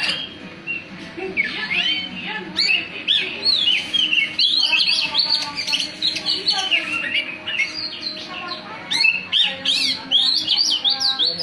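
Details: Oriental magpie-robin pouring out a loud, rich, fast song of varied whistles, slurred rising and falling phrases and sharp chirps, nearly continuous with brief pauses, while a person talks quietly in the background.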